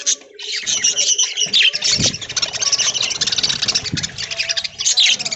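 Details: Aviary budgerigars eating corn among green leaves early in the morning; a continuous, busy wall of high twittering and squeaky warbling from many birds, with a few low knocks underneath.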